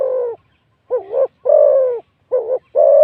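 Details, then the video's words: Wild spotted dove with a big voice calling to a decoy bird during a decoying session. Low, rounded coos alternate between brief quavering double notes and longer steady tones, separated by short gaps. "ต่อนกเขาใหญ่ เจ้ามังกรเงิน แต้มที่89นกป่าเสียงใหญ่คารมดีครับผม"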